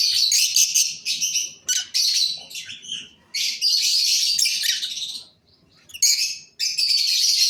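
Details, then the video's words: Masked lovebirds of the cobalt colour form chattering loudly in long, dense runs of shrill, scratchy chirps and squeaks, broken by brief silences, with a final burst at the end. "Cobalt Masks Love Birds"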